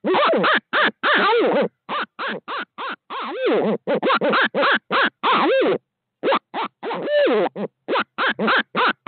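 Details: Barred owls on a live feed in Midtown Tulsa at 5:45am CST, 2020, as a second owl arrives: a dense, excited run of short harmonic hoots with wavering, rising-and-falling notes, many rapid bursts and a few drawn-out wails, nearly continuous.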